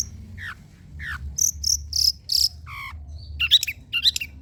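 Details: Training recording of a long-tailed shrike singing, meant to get silent birds singing. Falling whistled notes give way to loud, sharp high chips and raspy buzzes, then a cluster of squeaky notes near the end.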